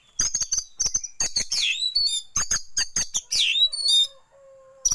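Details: Oriental magpie-robin tail-spreading lure mixed with shama song: dense, loud high phrases of sharp chips, rising and falling whistles and buzzy notes, ending in a faint lower drawn-out tone.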